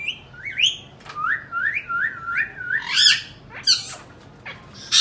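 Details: Indian ringneck parakeet indoors, making sounds and mimicry: a series of short rising whistled notes repeated about twice a second, then harsh screechy squawks and a final loud burst.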